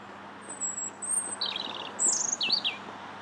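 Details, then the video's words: Wild European robin singing from a bridge in Linear Park, Bath, on 21 January 2017; high sweet whistles and quick warbled trills, rising and falling in short bursts, with a low background hum. "Still the Robin Sings"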